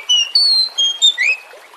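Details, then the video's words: Oriental magpie-robin (kacer) singing to draw other birds into song: a quick run of clear whistles at varied pitches, ending in a rising then falling slur. "Pancingan kacer Jenis APAPUN agar Lekas GACOR dan NGEPLONG"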